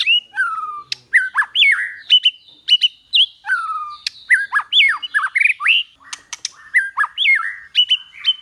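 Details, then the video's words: White-rumped shama singing in the 'kéo thuốc lào' and 'giọng dây' styles, used for training: a rich, varied run of loud whistled phrases, sharp upslurs and downslurred notes with quick clicks, almost without pause. "Luyện chòe lửa hót hay mỗi ngày ❣ kéo thuốc lào ❣ hót giọng dây"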